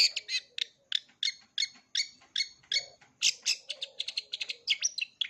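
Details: Long-tailed shrike mimicry song for teaching young birds: a harsh note repeated about every third of a second, then a faster rattling series of sharp chirps.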